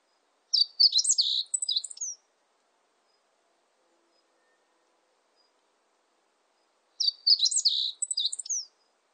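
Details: Song of a meadow bunting: two quick phrases of jumbled high twitters and sharp chirps, each lasting under two seconds and closing with a falling whistle, about six seconds apart with silence between.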